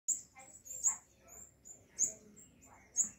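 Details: Sunbird calling near its nest in orchid roots on a balcony, one afternoon when a baby made its first flight: thin, very high chirps repeated about once a second, with a man speaking softly underneath.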